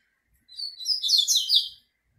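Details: One full phrase from a double-collared seedeater singing to a female: thin opening whistles building into a rich, rapid cascade of high, slurred chirps, about a second and a half long, with no other sounds.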